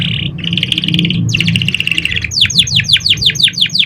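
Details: Canary song meant to stimulate young canaries to sing: long rolled buzzy trills changing pitch, then a quick series of repeated downward-sweeping whistled notes, about three per second, above a low steady hum.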